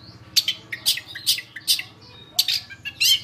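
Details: Long-tailed shrike song used as a master recording for training cage birds: bursts of sharp, high chirps and squeaky notes in short clusters, with brief pauses between phrases.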